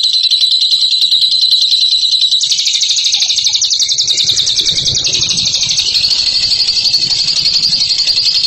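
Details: Ngekek-style singing from a champion bird: an unbroken high chatter, at first a thinner steady trill, then after about two seconds a fuller, harsher rapid rattle that runs on for over six seconds.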